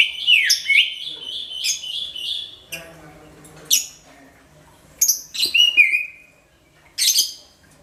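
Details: Loud, booming song of a greater green leafbird, used to lure all kinds of birds; rapid warbled phrases and sharp chips in bursts separated by pauses, with a sliding whistle near the end.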